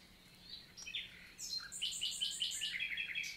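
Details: Common nightingale singing on a summer morning on 11 June 2023 in the Célé valley, Lot, southern France, countryside forest; varied phrases build into rapid repeated high chirping notes, with other birds faintly behind.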